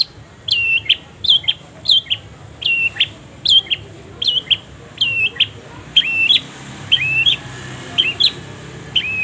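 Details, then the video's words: Long-tailed shrike singing for caged-bird training: a long run of clear, high whistled notes, each with a short upward flick, repeated about every half second with brief gaps, over light hiss. "masteran // pancingan // setingan burung cendet penuh jeda"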